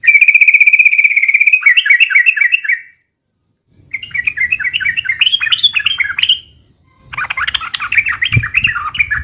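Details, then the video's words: Sooty-headed bulbul song for luring and tutoring, described as rapid and long: a rapid trilled buzz opens, then bouncy repeated warbled phrases in three bursts separated by pauses, over a faint low rumble. "SUARA BURUNG TRUCUKAN RIBUT UNTUK PIKAT DAN MASTERAN ,SUARANYA ROPEL DAN PANJANG"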